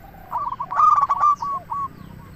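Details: Local zebra dove giving a brief lure phrase: soft coos rising into a loud, sustained rough note, then two quieter trailing coos.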